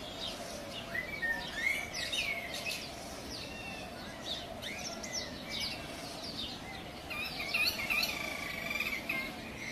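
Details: A flock of wild cockatiels trades rising, chirpy whistles over a steady hum of background noise.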